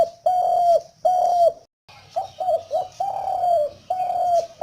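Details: Spotted dove, described as a couple, cooing: loud, mellow, low hollow coos, two long even notes, then a brief gap and a quicker burst of short coos running into further drawn-out coos, with no other sounds.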